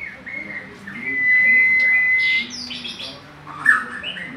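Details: Oriental magpie-robin in energetic song: a long, steady, pure whistle, then bursts of high chirps and a short slurred note over soft voices and a steady low hum.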